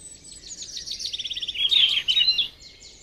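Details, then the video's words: Yellow-rumped flycatcher (Ficedula zanthopygia) singing in the wild: a quick run of high, thin descending notes, then louder sweet warbled phrases, over faint background hiss. "Burung sikatan emas Gacor di alam"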